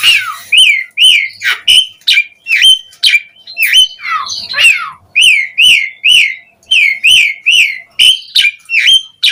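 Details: Asian pied starling singing to lure other starlings, with a rhythmic string of looping whistled notes, roughly two per second, broken by a few squeaky downslurred calls.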